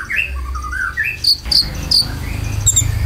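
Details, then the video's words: Konin lure song with filled-in notes for caged birds: descending whistled phrases, then sharp high chips repeated about every half second over low thumping. "PANCINGAN KONIN ISIAN"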